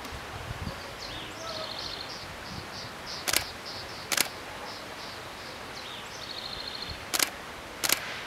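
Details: Magellanic woodpecker at its nest in Argentina: four loud, sharp wooden knocks, roughly in two pairs about a second apart, over faint, high, rapid chattering notes repeated throughout.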